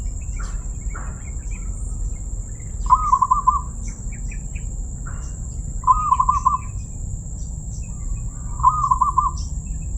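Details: Zebra dove, described as having a crystal voice, repeats a short bubbling coo of rapidly pulsed notes three times at roughly three-second intervals; faint clicks, low rumble and a constant high whine underneath.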